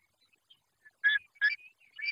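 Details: Long-legged buzzard chick, filmed close up on a raptor nest cam in Judea, Israel, gives three harsh, scratchy squeals about half a second apart, with faint thin notes between them.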